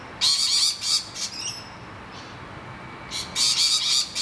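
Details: Distressed rainbow lorikeets defending their nest hollow from attacking noisy miners give harsh, broadband screeches in two bursts of rapid notes, with a quieter gap between and thin, higher chirps overlapping.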